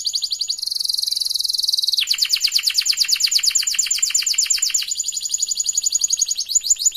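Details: Canary singing a lure song meant to get non-singing canaries to sing: loud, fast, high-pitched trills running continuously, shifting from a dense buzzy roll to sharply repeated rising-falling notes and back, with no other sounds.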